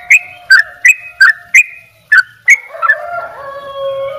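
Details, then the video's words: Sooty-headed bulbul singing in the Bali 'dobel ropel' gacor style: about eight short, bright whistled notes, evenly spaced roughly three per second, each sliding downward. A lower steady tone and murmur take over near the end. "trycuk bali dobel ropell gacor"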